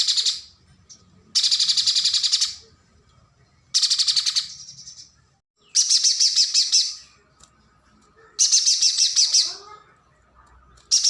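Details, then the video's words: High, harsh chattering trills from a streaked spiderhunter, a nectar-feeder used to tutor contest songbirds. Dense bursts of rapid notes about a second long repeat at irregular intervals, with faint softer notes between them. "PANCINGAN PIJANTUNG GUNUNG |MASTERAN UNTUK BURUNG LOMBA"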